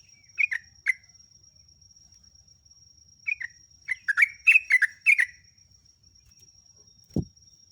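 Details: Lure song of a sooty-headed bulbul for training captive birds: scattered short chirps, then a dense burst of bright, clipped warbling notes, ending with a single low thump; a thin constant high whine runs throughout.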